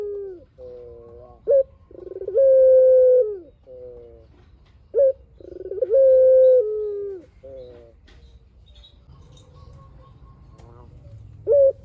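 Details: Puter, or spotted dove, a lively bird used as a calling lure so others reply; repeated phrases of soft lower coos, a brief sharp upward note and a long level coo, about three phrases over twelve seconds, then quieter background hum.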